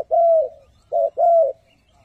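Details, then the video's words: A Spotted dove, a trained decoy bird used to lure wild doves, gives a soft, low three-note coo: a long drawn note, a short clipped one, then another long falling note, all within about one and a half seconds. "Chim cu gáy 3 HẬU - THÚC - GÙ"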